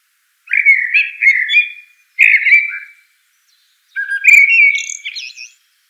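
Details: Common blackbird song of three warbled, flute-like phrases, each a rolling mellow whistle lasting about one to one and a half seconds, the last closing with a high thin twitter; nothing else heard.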